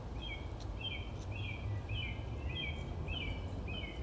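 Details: Nightingale trills: a short paired phrase, a high whistled note sliding into a lower one, repeated about every 0.7 seconds, seven times over a strong steady low rumble of background noise.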